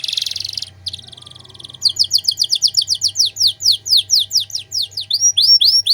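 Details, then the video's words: Chatty canary in ornate 'cengkok mewah' song for tutoring songbirds: buzzy trills open, then a long steady series of sharp downslurred notes, about four per second, closing with curved whistled sweeps; low hum behind. "Masteran Kenari Gacor Cengkok Mewah"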